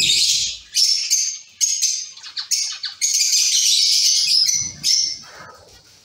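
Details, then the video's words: A caged colony of Zebra finches gives a dense chorus of high, nasal beeps and chattering notes, overlapping almost continuously, with a few low rustles beneath. "Zebra finch sound"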